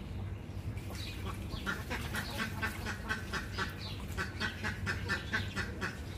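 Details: A chorus of duck quacks, harsh and nasal, coming roughly twice a second in an irregular string, with a low droning background throughout.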